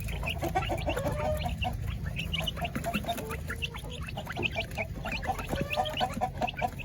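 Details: Village chickens and laying hens in their coop at feeding time: a dense chorus of short clucks and squawks from many birds, with a low continuous rumble underneath.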